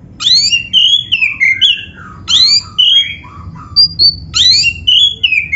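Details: Loud, clear song of a black-breasted oriental magpie-robin, meant to stir other magpie-robins into singing: three phrases, each opening with steep upward whistles and running into descending slurred notes and brief chirps, over soft background noise.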